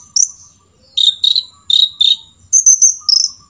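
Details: Long-tailed shrike singing a song filled with imitations of the sooty-headed bulbul: a high chirp, then paired lower buzzy notes, then a run of sharp high notes, with a faint steady low hum behind.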